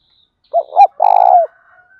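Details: Coo of a spotted dove to stimulate captive doves: two short notes then a long, trilled, mellow coo falling at the end, with a faint high whistle and soft chirping from another bird behind.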